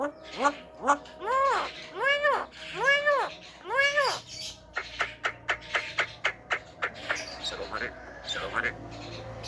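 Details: A javan myna talking strangely. About six drawn-out, arched nasal notes come first, then a quick run of sharp clicks and short notes.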